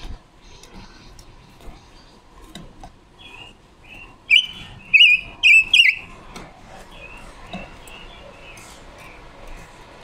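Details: Red-billed leiothrix decoy female singing to train its voice, short bursts of sweet whistled warbling notes around the middle, quieter chirps before and after.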